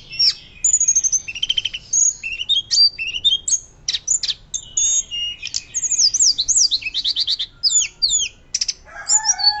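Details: Varied, loud 'nyuling' fluting song of a hill blue flycatcher, used as a master recording for other birds: rapid whistles, buzzy trills and steep rising and falling slurs tumbling continuously, with a lower whistle near the end.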